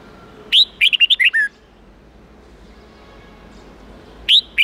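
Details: Red-whiskered bulbul singing an 8-9-10 note wild-standard song to train young birds: a rapid phrase of about seven ringing whistled notes ending on a lower note, quiet, then another phrase beginning.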